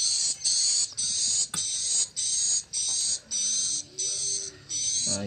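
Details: Swiftlet roosting call (suara inap) played for swiftlet farmers inside a roosting room at moderate volume: high, hissing chattering bursts, each about half a second, repeated roughly twice a second with a thin whistle inside, and brief speech at end.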